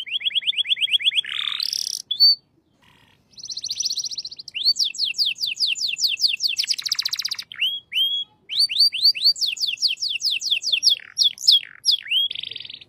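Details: Caged canary of the shant song style singing loud, varied tours: fast trills of rising and falling whistled notes, buzzy rolls and repeated high slurred syllables, with brief pauses between phrases.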